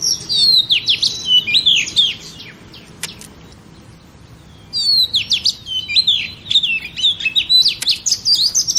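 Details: Female oriental magpie-robin singing to stimulate males, with two bouts of rich, high warbled phrases of twisting whistles separated by a few seconds of near silence.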